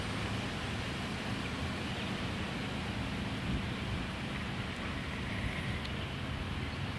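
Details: Dense, steady roaring noise like distant traffic or rain covers the whole recording, and no animal voices can be picked out.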